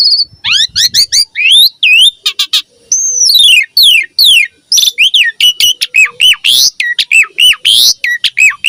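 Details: Javan pied starling song for training young starlings: fast chattering phrases, looping whistles and harsh rasps, delivered loudly and almost without break.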